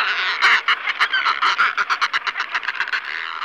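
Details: Northern fulmar (Fulmarus glacialis), call.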